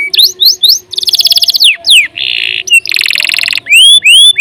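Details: Long canary gacor song: quick rising chips, a dense rattling trill, a brief nasal buzz, another broad rolling trill, then bright upslurred whistles repeated twice.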